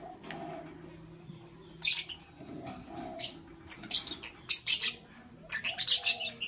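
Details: Lovebird chirping in the morning, with loud, harsh, high-pitched squeaky bursts repeated in clusters about every half second to second, and faint lower tonal hooting sounds beneath.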